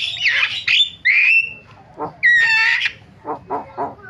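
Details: Starling calls used as a lure to start silent starlings calling. Slurred whistles and a clear rising whistle give way to a harsh chattering burst, then several soft, low, muffled notes.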